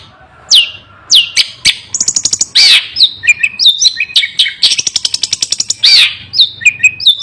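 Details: Long-tailed shrike singing fiercely without pause: sharp descending whistles, fast clicking rattles, harsh rasping notes and twisting whistled phrases in a varied, mimic-like sequence.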